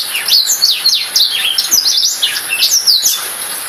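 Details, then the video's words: Black-throated canary song made of fast, high, slurred chirps and trills, tightly strung together and repeating in quick, varied phrases throughout. "Serinus Atrogularis"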